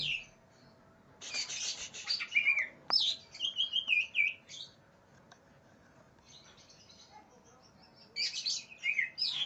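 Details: Agitated greater green leafbird looking for a rival gives a harsh rasping burst followed by rapid sweeping whistles and chattering notes, a quiet gap of several seconds, then another bright warbled phrase.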